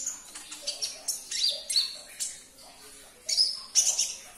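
A sunbird gives a run of high, thin chips and sharp tinkling notes. They come in quick bursts, some spaced and some clustered, with no other clear sounds.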